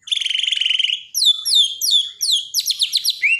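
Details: Borneo white-rumped shama in a daily training recording for a bird that has stopped singing. A loud buzzy rattle lasts about a second, then five quick downslurred whistled notes and a final rising whistle.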